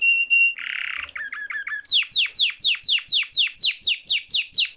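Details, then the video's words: Canary song for training birds: a steady whistled tone and a harsh burst, a few short chips, then a loud regular series of sharply descending whistled notes about two per second. "Kenari Gacor Ngeroll Isian Masteran atau Pancingan Kenari Riwikan atau Kenari yang Macet Bunyi"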